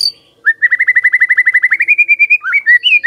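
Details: White-rumped shama song meant as a lure to start other birds singing: a quick steady trill of repeated whistled notes, about two per tenth of a second, ending in brief varied whistles.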